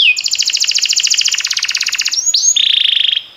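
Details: Canary song meant for training canaries: a rapid pulsing roll of doubled, bell-like notes runs for two seconds, followed by a rising slur and a lower, steady buzzing trill.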